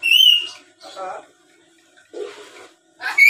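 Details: Tame black-capped lory that chatters and imitates speech, recorded to lure other birds. A loud pure whistle opens, followed by murmured speech-like chatter and a hissy burst, closing on another sharp whistle.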